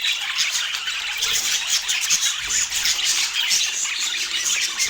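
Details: Budgerigars chattering while they eat in natural Scandinavian light, a steady high-pitched mix of squawks and warbles from a flock, unbroken for nearly five seconds.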